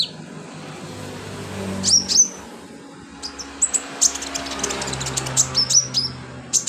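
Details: Sunbird singing actively as filler song for bird training: scattered high, sharp ticks and slurred whistles that quicken into a busy series of chirps toward the end, over faint background hum.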